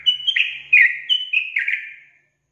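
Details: Sooty-headed bulbul song used as a lure to provoke other bulbuls. A two-second run of clear, mellow whistled notes, some short and bubbly, others drawn out and slightly falling, ending cleanly in silence.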